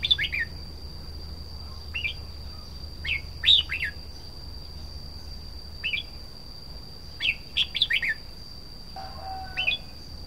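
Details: Red-whiskered bulbul song, short lilting whistled phrases coming every second or two, some in quick clusters of three or four notes, over a constant high-pitched hum.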